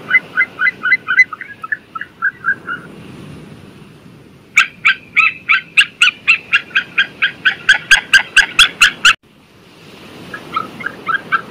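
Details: White-tailed sea eagle calling: a quick run of yelping notes, a short pause, then a louder series of about twenty sharp, evenly spaced yelps. After a brief break, a softer string of similar notes resumes.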